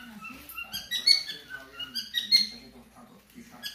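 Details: Indoor cockatiels breaking into song as the household tries to watch TV, a rapid run of sharp squeaky whistles and chirps rising and falling, over a murmur of TV speech.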